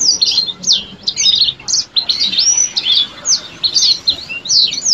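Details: Yellow-fronted canary in full song, rapid high whistled sweeps, chirps and jumbled trills delivered in quick succession over a faint low background hiss.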